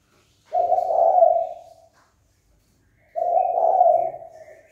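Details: Spotted dove uttering its rival-provoking call: two low, rough coo phrases about two and a half seconds apart, each swelling and then trailing off. The background is otherwise quiet.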